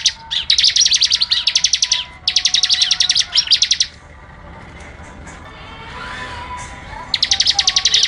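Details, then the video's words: ["Prinia delivering tight 'ngebren' bursts: three rapid machine-gun rattles of crisp, high, buzzy pulses, each lasting over a second, separated by quiet gaps with faint background chirps."] "Ciblek AK47 Ngebren Rapat Tembakan Tajam"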